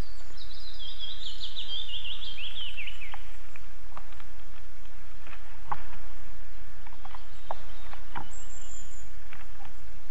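An osprey gives a quick run of high, whistled chirps, slightly falling over about three seconds. Steady wind-like noise and a few faint clicks follow.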